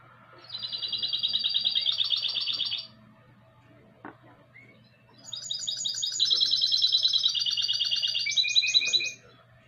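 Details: Mixto (goldfinch crossed with canary), 2020, delivering two song bouts separated by a pause: each a rapid, even, buzzy trill, the second climbing to higher notes and ending with a short lower trilled phrase.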